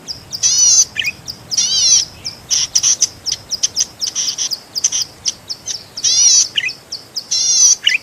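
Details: Zitting cisticola (cici padi) song kept as a master track for teaching songbirds: repeated wavy, buzzy high phrases interleaved with crisp ticks and short falling chirps, irregular rhythm.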